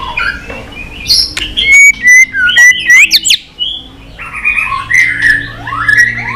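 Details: White-rumped shama in fighting song, singing many voices: rich whistled phrases, sweeping slurred notes and fast ringing trills, loud in the middle, then softer warbled whistles.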